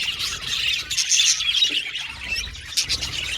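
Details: Budgerigars chirping cheerfully: a short burst of overlapping buzzy warbling with a few clear whistled squeaks and a sharp click near the end.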